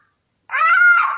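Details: Black-naped oriole giving a single drawn-out, nasal, harmonically rich note, steady in pitch for about half a second and then dropping slightly at the end, heard in a quiet setting.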